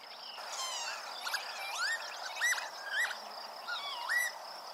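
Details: A Northern Lapwing at a puddle by a meadow in early July 2023 gives slurred, rising wheezy calls about once a second, over a steady high insect hum and some busy chatter from other small birds.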